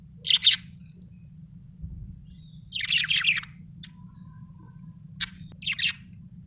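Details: Budgerigar making irregular scratchy chirps and a longer warbled burst, with short clicks and a faint whistled tone between calls, over a steady low background hum.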